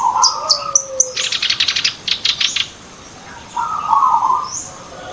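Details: Sooty-headed bulbul song used as a lure for trapping: a series of quick high chirps, a burst of rapid buzzy repeated notes, then a fuller warbled phrase near the end, with short gaps of quiet.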